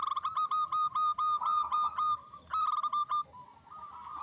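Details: Zebra dove, local type, in full song as a lure to prompt other doves. A fast string of sharp, clipped cooing notes runs at a steady beat, then breaks off into softer, wavering coos, with a low rumble behind.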